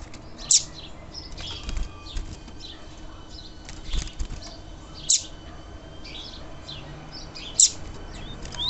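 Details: Female double-collared seedeater calling to arouse males. Loud, very high single chips are spaced several seconds apart, with softer scattered chirps and faint rustling between them.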